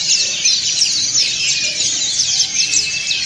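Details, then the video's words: Group of dakun and montanus white-eyes singing ngriwik together; fast, squeaky high twitters pile over each other, with slightly louder bursts about every half second within the steady chatter. "PLECI DAKUN NGRIWIK BERJAMAAH"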